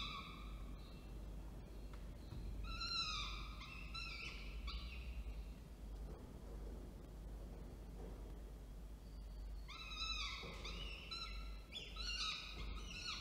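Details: Falcons recorded at Orange, NSW, 19 October 2024, during a food delivery by the male while the female feeds. Two clusters of rapid, grating, strained calls, each several notes long, are separated by a quieter stretch with a constant low rumble.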